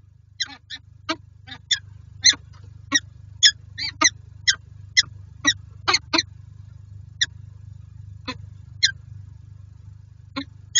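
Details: Peregrine falcon pair at a nest box in Lublin, Poland, 18 January 2023; sharp single harsh call notes spaced about half a second apart, thinning out later, over a constant low mechanical hum.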